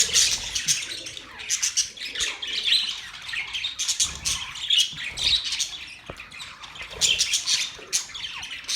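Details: Budgerigars chirping: dense, continuous high warbled chatter with rapid squeaky notes and short buzzy bursts, several birds overlapping throughout.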